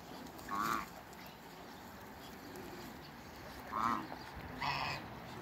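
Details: A mature pair of African geese kept with other waterbirds in a backyard; harsh nasal honks at about 0.7, 3.8 and 4.7 seconds, separated by quiet stretches over steady background noise.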